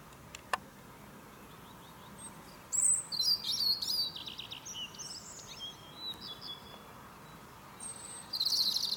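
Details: European robin trilling in the morning on a fir tree: a dense burst of high twittering and sliding whistled notes, a pause with quieter notes, then another bright burst.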